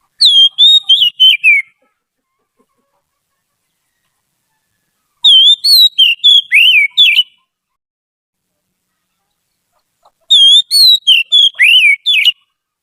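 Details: Trained white-rumped shama used to teach song: three similar phrases about five seconds apart, each a quick series of varied whistled notes that slide and fall in pitch.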